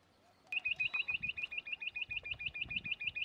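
A Rock bush-quail gives a fast, steady run of high, clipped whistled notes, about three or four each second, with a faint low rumble underneath.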